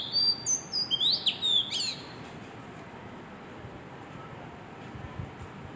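An Oriental magpie-robin sings a quick burst of varied, high, sweet whistles and slurred notes for about two seconds, then only faint background hiss remains.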